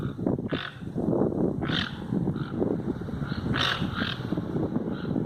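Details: Wild toucans in nature give short, harsh, yelping calls, roughly one or two a second, against a constant loud low rumble of background noise.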